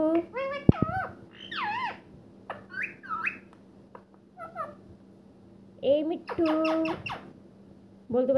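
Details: Ringneck parrot talking, producing speech-like warbled phrases with rising and falling tonal syllables, short whistles and clicks, a pause, then a louder buzzy run of mimicked words near the end, faint music underneath.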